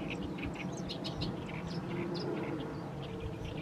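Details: Oriental reed warbler singing on and on in the evening sun over a fallow field in mid-May: harsh, chattering notes repeated in quick bursts throughout, over a steady low rumble.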